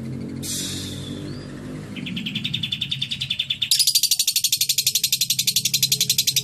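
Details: Lovebird performing isian cililin, clear-toned: a high buzzy note, then a fast pulsed rattle building in volume and jumping into a louder, brighter, very rapid trill that continues to the end. Low hum underneath.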